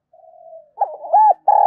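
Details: ['Spotted dove calling to stimulate nearby doves. A faint, level hum of distant cooing gives way to a stuttered, rising coo phrase, then a loud, sustained note cut off abruptly.']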